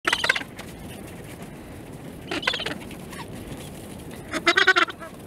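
Gentoo penguins give three short, harsh, honking brays about two seconds apart, the last the loudest and most tonal, over a steady background hiss.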